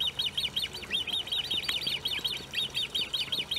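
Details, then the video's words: Great crested grebe with young at De Gouden Ham, Maasbommel, on 1 August 2018: a fast, unbroken series of high, thin piping notes, each sharply rising then falling, about nearly three per second, over a low hum. "fuut met jongen"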